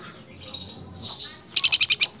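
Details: Flamboyan bird calling its female: a quick run of six sharp, bright chirps repeated evenly in under half a second, following softer high twitters and faint background bird notes.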